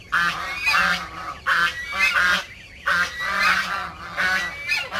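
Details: Geese kept in a backyard give harsh, nasal honks in rapid repeated bursts, roughly every second, several birds overlapping.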